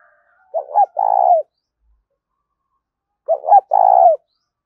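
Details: Spotted dove cooing to lure birds in: two identical phrases about three seconds apart, each two quick hollow notes followed by a long rolling coo, in a quiet setting.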